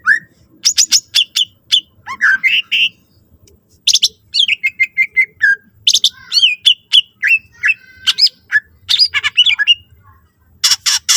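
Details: Song of a greater green leafbird, rich in varied phrases and used as a lure to set other leafbirds singing; rapid, buzzy trilled bursts and sliding whistles follow one another almost without pause, with brief quiet gaps.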